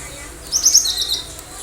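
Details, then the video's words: Cinereous tit in lively song: a single quick burst of rapid, very high chirping notes lasting under a second, dropping slightly in pitch at the end. "Gelatik batu gacor dalam hitungan detik"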